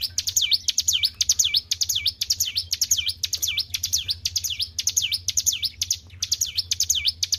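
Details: White-browed shortwing raised in captivity, singing non-stop: a run of piercing, high, dipping-and-rising whistles at roughly two per second, each led by crisp clicks, with a low background drone.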